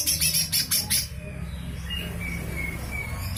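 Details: Lesser green leafbird giving rough, harsh 'besetan' chatter meant as tutor material for shamas and magpie-robins: a run of loud scratchy bursts, then a thin high whistle held and repeated over low background rumble.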